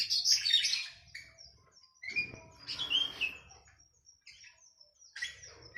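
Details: Masteran song for a captive oriental magpie-robin, mixed with sooty-headed bulbul: loud high chirps opening, then scattered whistled notes and trills with gaps, over faint low rumbling.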